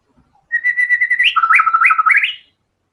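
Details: White-rumped shama song: a long steady whistled note, then a fast trill of alternating low and high whistles climbing at the end, clean and loud with no other sounds.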